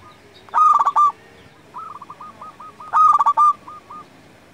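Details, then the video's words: Zebra dove of a local strain, used to lure and tutor other doves, sings two loud cooing phrases of stuttered notes ending in a drawn coo, each followed by a string of soft, evenly repeated coos. "Perkutut lokal gacor Paling Manjur Untuk Pikat & Masteran"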